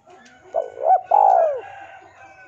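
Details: Male spotted dove calls out to a rival, a recording meant for luring. One mellow phrase: a brief low coo, a looping middle note, then a longer coo sliding downward. A faint chirp sounds before it.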